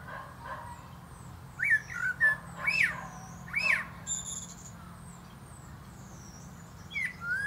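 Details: A male common blackbird sings from the top of a plum tree, giving a string of short, rich, rising-and-falling whistles, a brief high squeaky flourish, then a fresh whistled phrase near the end.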